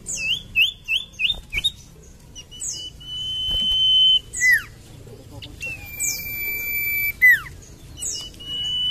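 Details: Common iora song: a quick run of five short looped whistles, then long steady whistles broken by sharp downslurred notes, with high thin sweeping calls over the top.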